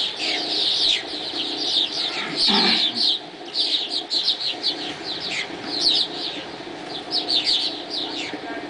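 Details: Swallows at daybreak keeping up a lively chorus of quick, high twitters and chirps in overlapping bursts, with a brief low rustle near the middle.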